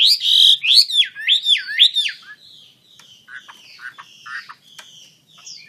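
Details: Chinese hwamei in lively song with wings spread, opening with loud, swooping whistles that wave up and down in a repeated pattern, followed by quieter scattered chirps, trills and short whistled notes.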